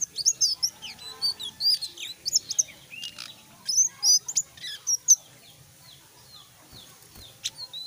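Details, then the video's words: Selendang biru starting to sing in earnest: a tumbling burst of high chirps and whistles for about five seconds, then fading into quieter scattered notes and near silence. "burung selendang biru mulai buka paru gacor"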